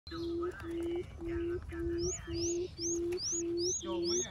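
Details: Quail lure call used to attract quails: a low, steady hooting note repeated about twice a second in an even rhythm. High, quick upslurred chirps from other birds sound over it in the second half.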